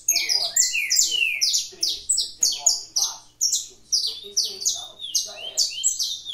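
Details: Canary kept at a breeding aviary, fibra-style song: a dense stream of sharp, high, descending whistled notes and rattling trills, delivered in bursts about every half second.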